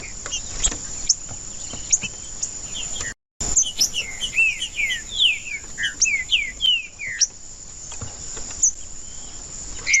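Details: Green-winged saltator (trinca-ferro) song used to warm up a silent bird: scattered sharp chips, then a rapid run of slurred descending whistled notes after a brief dropout, followed by more chips, with a steady high hiss throughout.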